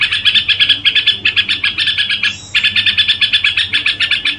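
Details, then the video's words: Red-whiskered bulbul in song, a caged bird: fast, lively chirping notes delivered in rapid pulses, continuous phrases broken by one brief pause midway, steady low hum in the background. "Tiếng Chim Chào Mào Gù Quá Hay"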